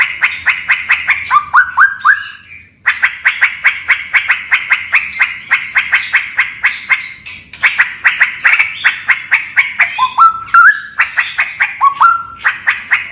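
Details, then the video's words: Straw-headed bulbul in a cave delivering long rapid bursts of crackling, ticking notes, broken by a short pause and a few liquid, rising whistles near the end. "MP3 suara cucak rawa part:71.disebuah ngalau angker."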